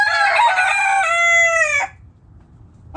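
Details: Backyard rooster crowing: a loud, harmonic-rich, drawn-out crow lasting nearly two seconds, steady then slightly falling at the end, followed by quiet with a faint short call.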